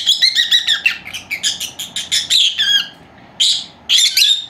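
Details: Indoors, two young female lovebirds, four months old, make a rapid run of high chirps and squeaky chatter for nearly three seconds, then a pause and two harsher squawks.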